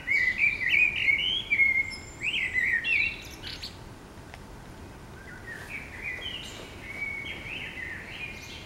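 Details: Common blackbird singing in the morning in the city: loud warbled, fluty phrases that slide up and down at first, then quieter twittering notes and softer repeated phrases over steady background noise.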